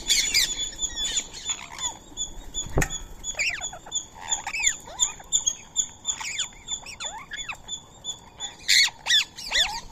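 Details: Indian ringneck parakeets feeding on soaked rice and corn meal beside a squirrel give scattered harsh, arched squawks, some rising then falling, over a steady, rapid high chirping that runs throughout, with a sharp knock near the middle.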